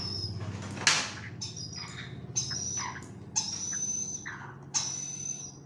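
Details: Hand-fed grey parrot chicks in Kakinada give harsh, raspy, high-pitched wheezes in short bursts every second or so, over a steady low mechanical hum.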